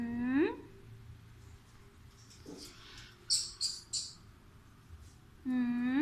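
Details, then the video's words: Talking pet Alexandrine parrot gives rising, harmonic, word-like notes at the start and end, with a brief low syllable and a cluster of quick, high chirps in between, over low indoor hum. "Indian Ring Neck Parrot Talking"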